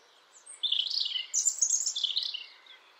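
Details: European robin singing a thin, high warbled phrase of quick twittering notes that rise and fall for about two seconds, with a quiet background.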